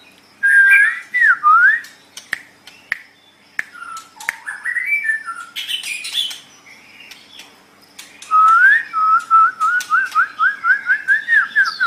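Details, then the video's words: White-rumped shama singing, meant as a tutor recording for caged songbirds: clear slurred whistles and scratchy notes, ending in a long run of quick, evenly repeated whistled notes. "Suara Burung Murai Batu"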